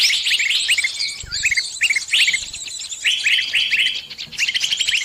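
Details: A trapped bird calling its companions for help: a busy stream of sharp, high chirps and short upswept notes, several voices overlapping, with brief pauses between bursts.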